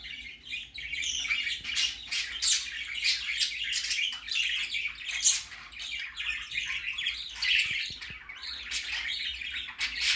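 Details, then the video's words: Baby budgerigar going out for the first time, giving dense, continuous high chirps and warbling chatter with brief harsh squawks, busy and unbroken throughout, faint low hum beneath. "Baby parakeet first time go out"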